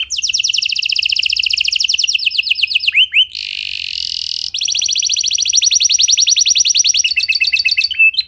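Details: Lure song of a canary meant to make other canaries join in: a sustained rapid trill, a rough rasping passage of about a second and a half, then the fast trill resumes.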